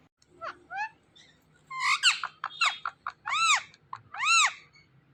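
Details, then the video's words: A talking parrot indoors gives short gliding chirps, then a string of loud, arched, nasal word-like calls, some repeated twice in succession. "Talking Parrot"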